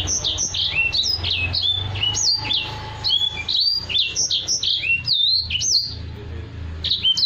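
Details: Black-throated canary in a cage, singing as a tutor for other birds: a rapid stream of bright whistled phrases, swooping down-slurred notes mixed with quick chips and brief pauses, low background hum underneath.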